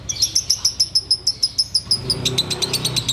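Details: Sooty-headed bulbul singing in the ngekek style during a Ramadan afternoon before the fast is broken: a fast, even series of sharp, high chattering notes, about three per second, briefly dropping slightly lower in pitch partway through.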